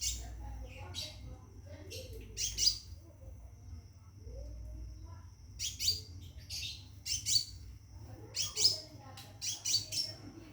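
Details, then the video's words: Scarlet minivet kept in a cage, calling to attract a female for mating. It gives short bright chirps, then rapid high twittering bursts near the end, over a steady low background hum. "Burung Seppah Raja Gacor Di Dalam Sangkar panggil betin kawin"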